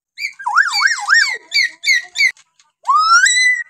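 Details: Common hill myna from Kalimantan giving varied calls: a looping wavering whistle repeated three times, a run of short harmonic notes, then a long rising whistled note held to the end.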